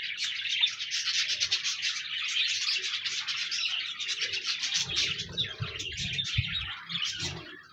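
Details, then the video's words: Group of pet budgies warbling to encourage another budgie to sing: rapid stream of high chirps and chatter, joined in the second half by low knocking and rumbling noises, fading at the end. "No more lonely budgies. Pet parakeets encourage your bird to sing"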